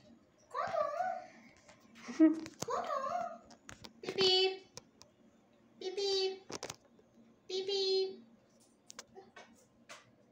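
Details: Pet Indian ringneck parakeet talking indoors, giving short speech-like phrases with babbling, wavering tones, mixed with a few harsh squawk-like syllables and clicks; a faint low hum underneath.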